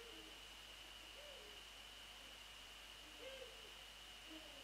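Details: A male and a female Eurasian eagle-owl call in the early morning of 28 February 2014; several soft, low hoots and shorter lower notes are spaced across the stretch, under a continuous thin electronic tone and hiss.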